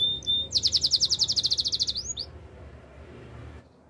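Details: Canary singing for training: one brief burst of very fast, buzzy repeated notes lasting about a second and a half, two swooping chirps, then quiet with faint background hiss.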